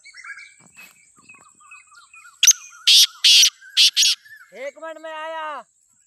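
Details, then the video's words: Black francolin (kala teetar) in Pakistan, calling wild: a click and four grating notes in rhythmic sequence amid soft bird chirps, then a drawn-out, harmonic, nasal call from another animal lasting about a second. "کالے تیتر کی آواز | Black Francolin Beautiful Call"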